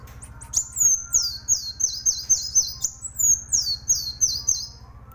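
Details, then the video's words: Energetic song of a plain sunbird kept as a training tutor: a steady series of high, thin, downward-sliding whistles, roughly three per second, running without pause above a low droning hum. "masteran handal Kolibri Wulung gacor"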